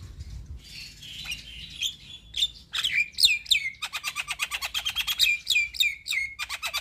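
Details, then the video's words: Captive Javan myna singing in chatty gacor style as a lure for silent, stressed cage birds: soft scratchy warbling builds into rapid clicking chatter with sharp downslurred whistles, repeated several times a second. "Terapi Jalak Kebo Malas Bunyi / Jalak Kebo Stres Gak Mau Bunyi - Pancingan Burung Jalak Gacor"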